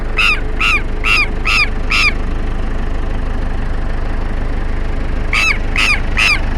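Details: Southern lapwings harassing an elderly man, giving harsh, strident calls in a rapid series of five, then a pause of about three seconds, then four more, over a steady low rumble.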